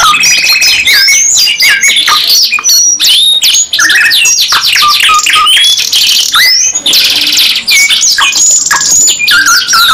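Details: Canary song, loud and unbroken: fast trilled rolls, bright whistled upslurs and rattling buzzes follow one another without pause, several voices seemingly overlapping in a busy, high-pitched chorus.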